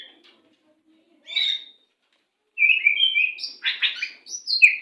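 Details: White-rumped shama song used to train captive birds, in the macet sepid rapat style: a brief high note, a pause, then a varied phrase of clear whistles and rapid, rough, buzzy notes that jump between pitches.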